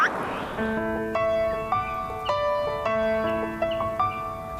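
Soft instrumental music with sustained, harmonically rich notes changing every second or so, and no animal sounds.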